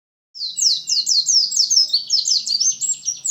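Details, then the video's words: White-eye (pleci) from Lumajang singing a fast, high, twittering song of rapid slurred chirps that run together continuously for about three seconds, with faint low background rumble. "Burung pleci lumajang"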